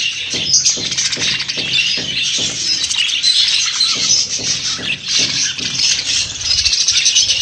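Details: Chorus of budgerigars keeping up steady high chirping and warbling from many birds at once, over soft regular low tapping sounds.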